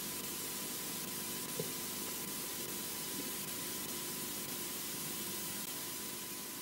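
Even hiss of static with a faint steady hum runs throughout, without any animal call.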